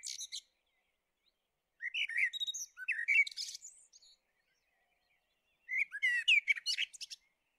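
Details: Song of the Common blackbird (Turdus merula): two full phrases several seconds apart, each made of low, clear, flute-like notes that break into a high, scratchy, chattering ending.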